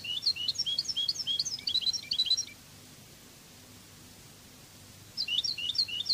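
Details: European goldfinch singing in the Spanish Cádiz song style, from a training CD: quick bursts of bright twittering and liquid chirps, high pitched, about two and a half seconds long, then a pause before the twittering resumes.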